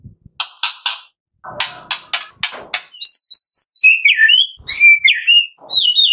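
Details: White-rumped shama singing to coax captive birds: a series of sharp broadband clicks and chacks, followed by high sliding whistles and warbled phrases.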